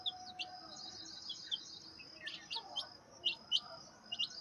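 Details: Baby turkeys calling with scattered sharp, very high peeps, some doubled, in short irregular groups over a quiet background hiss.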